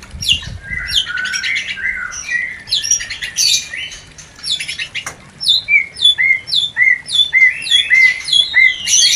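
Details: A White-rumped shama's mating song, used to stimulate breeding in a newly paired couple, is a rich, varied run of fluty warbles that settles into quick, repeated upslurred whistles with bright, higher flourishes.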